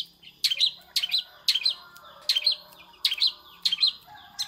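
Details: Long-tailed shrike mimicking a prinia: a high, sharp two- or three-part chirp phrase repeated about every half second, steady and emphatic, over quiet background.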